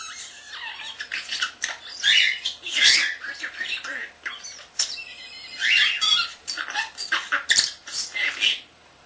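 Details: Indoor pet common starling, not yet a year old, talking: continuous squawky speech-like babble with raspy syllables and high chirps, fading out at the end.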